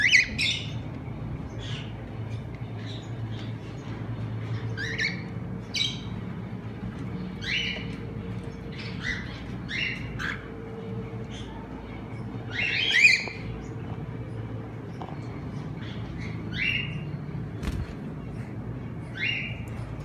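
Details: A semi-adult cockatiel pair in Madurai, India, gives short, harsh chirps and squawks at irregular intervals over a steady low hum.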